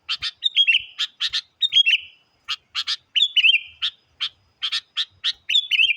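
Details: Sooty-headed bulbul lure song said to challenge wild birds: paired sharp chirps followed by drawn-out, slightly falling whistles, repeated every second or so in a lively, continuous series.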